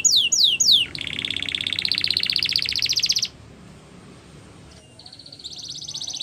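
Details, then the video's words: Canary song used for training: three swooping downslurred whistles, then a long rich pulsing roll, a quiet pause with background hiss, and a thinner buzzy trill starting again. "Canary's Most Powerful Song For Training"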